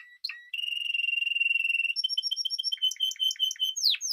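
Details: Song of a Spanish timbrado canary: brief chips, a long even metallic rolling trill, then spaced bell-like notes and a final falling sweep.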